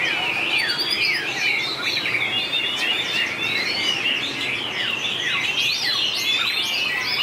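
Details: Contest song of a white-rumped shama, 2019, known for long voice changes: sharp descending whistles and upward flicks repeated in rapid bursts, with a rich warbling stream that never stops.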